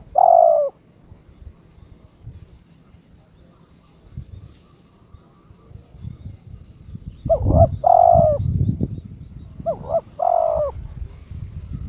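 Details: Captive spotted dove in breeding condition challenging an opponent: one mellow coo at the start, then a pause of several seconds, then two paired, hollow coo phrases, with low rumbling noise between them.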